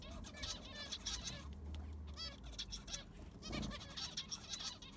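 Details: Caged zebra finches in an aviary during sand replacement: repeated nasal beeping calls and quick harmonic chirps, a steady low hum underneath and a brief rustle midway.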